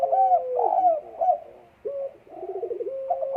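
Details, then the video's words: Spotted dove in breeding condition, recorded 12 December 2022: mellow cooing phrases, some bubbling and trilled, others ending in a long, smooth, slightly falling note, with short pauses between phrases. "EMUSI KUAT BURUNG PUTER DEKUKUR LAGI BIRAHI"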